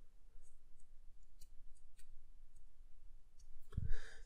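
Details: Only faint clicks and a soft thump against low room hum; no birdsong or other animal voice comes through.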